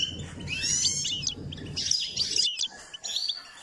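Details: Goldfinch song used to stimulate singing: a rapid, liquid twitter of high chirps and slurred whistles that runs on without a break, with a low hum beneath.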